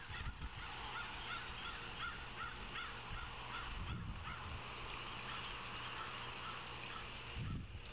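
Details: A Savannah osprey nest on 9 August 2023, late afternoon, filmed by a live camera. A long, even series of thin, high piping chirps, roughly three per second, over steady camera hiss with low thumps near the end.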